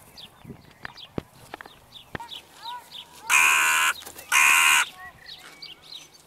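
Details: Evening crow calling: two loud, hoarse caws in quick succession about a second apart, preceded by many thin high chirps and twitters of small birds.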